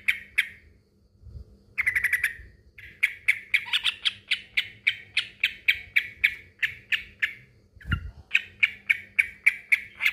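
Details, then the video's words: Yellow-vented bulbul male, locally trucukan, calling a rival: a short chatter, then a long, fairly even series of harsh clipped notes repeated several times per second, with a low thump near the end and faint hum. "kicau suara trucukan jantan memanggil lawan"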